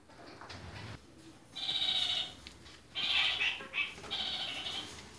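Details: Kakariki, red-crowned parakeets in different colours, kept in captivity; after a second of near quiet, loud nasal chattering calls come in long bursts, some broken into quick stuttered notes.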